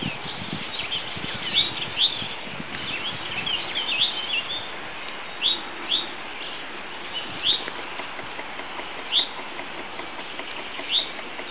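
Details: Rock bunting at the edge of a riverside grove bordering wooded farmland, giving thin, high, sharp "tsi" notes, one every second or two at an uneven pace, over a steady hiss of outdoor background noise.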